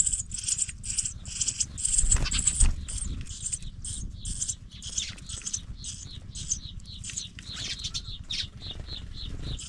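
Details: Young pipits at the nest give thin, very high chirps, about two a second, in an uneven stream over a low rumble with soft rustling and fluttering, as one sibling leaves the nest.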